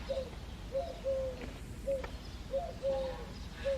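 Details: Eurasian collared dove singing in the early foggy morning in February: low, soft cooing phrases of a short note then a longer drawn-out coo, repeated steadily about every second, over a quiet rural background.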